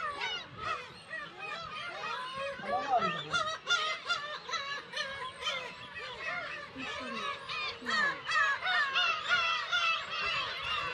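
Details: Black-tailed gulls, about 30,000 of which nest on Kabushima in Hachinohe, Aomori, recorded 10 June during chick season; a continuous din of mewing and short repeated yelps from countless birds, rising and falling in waves.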